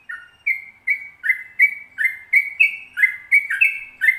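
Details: Long 'ropel panjang' song of a sooty-headed bulbul in full voice: a rapid series of bright, slurred whistles stepping up and down, delivered almost twice a second without pause.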